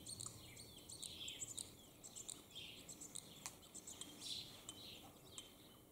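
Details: Two male common starlings singing in competition from a roof in the morning, pouring out a rambling medley of whistles, clicks and squeaky chatter full of mimicked sounds, over a faint outdoor hiss.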